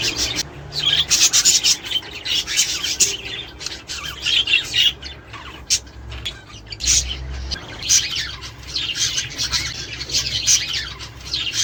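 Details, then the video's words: Budgerigar warble intended to stimulate mating, breeding and laying: loud, dense stream of chirps, squawks and rasping notes in rolling bursts, quieter mid-way, then rising again. "تحفيز طيور البادجي الأسترالي علي التزاوج والانتاج والتكاثر والبيض"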